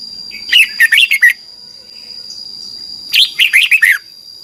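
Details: Red-whiskered bulbul singing, a recording for young birds to copy: two rapid phrases of five or six loud, sweet warbled notes sweeping up and down, around three seconds apart, with a constant high background tone.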